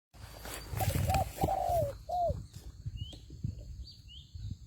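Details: Spotted dove used as a decoy in a trap, giving a few mid-pitched, slightly downslurred coos amid rustling and handling thumps, followed by faint high chirps from other small birds.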